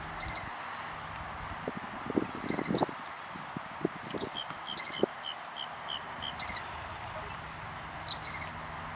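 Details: Loggerhead Shrike singing in Southwest Florida on 6 April 2013, giving harsh, high, stuttered phrases about every two seconds and a quick run of short whistled notes, over a steady insect-like hum and some low thumps.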